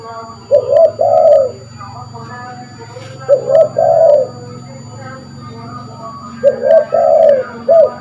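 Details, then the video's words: Spotted dove in full voice, its call used to lure birds: three phrases of two or three mellow coos each, roughly every three seconds, a short note leading into a longer drawn coo, with low background hum. "Burung tekukur gacor pas buat pikat burung"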